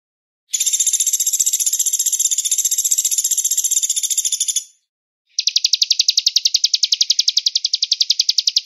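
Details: Velvet-fronted nuthatch master song with pauses and a distant voice. A harsh, buzzy, sustained high rattle fills the first four seconds. After a short gap comes a rapid, steady trill of high chip notes.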